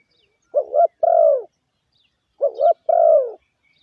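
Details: Caged spotted dove used as a lure, cooing in two phrases: a short wavering double note, then a longer smooth falling coo, the pair repeated about two seconds later; otherwise quiet.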